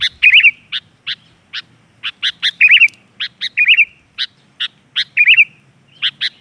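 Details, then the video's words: Sooty-headed bulbul (kutilang) lure recording used to prompt untrained captive bulbuls to respond and sing: bright, bubbly phrases of short chirps and quick wavering notes, repeated every second or two with brief gaps. "Suara pancing kutilang"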